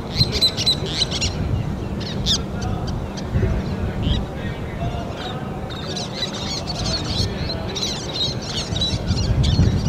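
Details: Least terns raising and feeding chicks on a sand-bar nesting site give high, scratchy chirps and clipped kit notes in quick irregular bursts, over a heavy, steady wind rumble.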